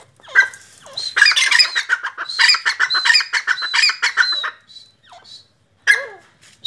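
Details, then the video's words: Black francolin (Sindhi or kala teetar) giving a harsh, rasping call: a dense run of grating, clicking bursts for about three seconds, then a pause and a few scattered single notes. "Sindhi Teetar Voice!!!Kala Teetar Voice"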